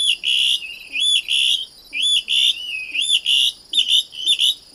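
Plumbeous Rail giving loud, shrill whistled notes about once a second, some bending up or down in pitch, in an uneven, shrieking series.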